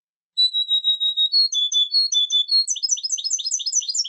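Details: European goldfinch song: a run of clear, level whistled notes, then short two-part phrases, ending in a fast series of bright, high, chirping trills. No other sounds are heard.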